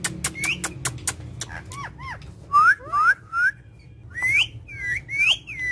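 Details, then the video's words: Indian ringneck parakeet: a string of dry clicks gives way to curved, falling and rising whistled notes, several loud paired squeals, then softer chirps. "Ringneck parrot taking Natural Sound"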